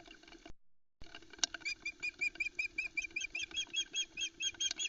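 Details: Female osprey at her Loch Arkaig nest on 4 July 2020, screeching for a trout while her chicks get in the way; steady run of high, thin, rising notes about every half second over a noisy, rustling background.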